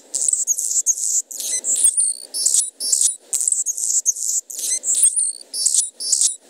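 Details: A hummingbird sings thin, very high squeaky chips and buzzy trills, at 10 kHz and above, in quick bursts about two a second, over a faint low hum.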